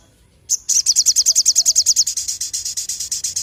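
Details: Sogon bird singing strongly: one loud, sustained, rapid trill of very high, evenly repeated notes, slowing and softening slightly toward the end, with a clean quiet background.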